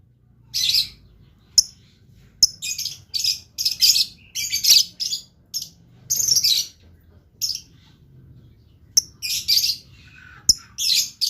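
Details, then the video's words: Blue lovebird in full vigorous song, pouring out shrill, scratchy high chirps in quick bursts of under a second, with occasional sharp clicks and a soft low background hum. "LOVE BIRD GACOR"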